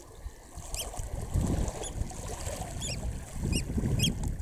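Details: Eurasian oystercatcher chicks recorded close up at Snettisham, Norfolk, UK on 19 July 2016 at 6:38 pm give thin, high, short peeps, five or so about a second apart, over a steady low wind rumble.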